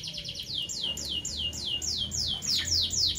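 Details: Parblue violet and parblue turquoise Fischer's lovebirds chirping in the morning: a steady run of quick downward-sweeping high notes, about three or four per second, over a low background hum.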